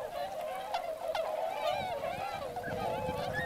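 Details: Swans gathered in great numbers at a rice-field wintering site in Motono, Chiba, Japan, mixed with Northern Pintails; many birds honk together in a constant, overlapping clamour of nasal, trumpet-like calls.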